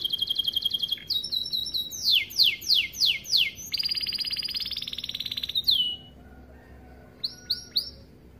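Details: Canary, starblue colour, singing a rich tutoring song for juvenile canaries; rapid trill, a series of loud rising sweeps, a long steady buzzy roll, then quiet with a couple of isolated upslurred notes.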